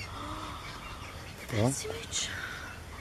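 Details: At a nest in Cyprus on 21 June 2018, a glossy ibis gives a single brief, low, hoarse grunting croak midway through, over steady outdoor background noise with faint distant chirps.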